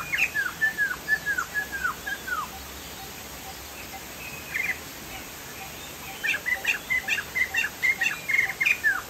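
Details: Chinese hwamei from Sumatra singing vigorously: series of loud whistled notes sliding down, repeated about twice a second, a quieter gap, then a faster run of rising and falling whistles over steady background hiss.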